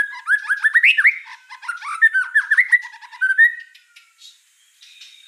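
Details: Masteran training material of murai song: a lively, mid-pitched warble of looping whistled notes and short trills lasting about three seconds, then a quiet pause and a brief sharp note at the end.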